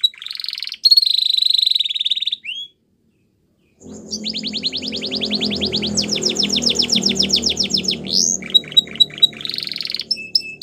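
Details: Belgian canary singing: a long high buzzy roll, a brief pause, then rapid repeated trilled note series, sweeping whistles and quick chirps, with a low steady hum beneath the later part.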